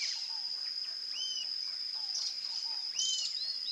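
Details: Rufous-tailed jacamar (Galbula ruficauda) gives high, thin arched whistles every second or two over a steady shrill insect drone.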